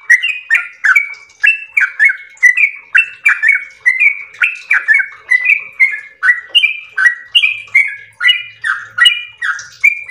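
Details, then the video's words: Trucukan, the yellow-vented bulbul, in long ropel song: a continuous chain of bright, slurred whistled phrases that step up and down, each note followed by a falling flourish, steady and unbroken throughout. "ROPEL MERDU trucukan gacor ropel panjang istimewa"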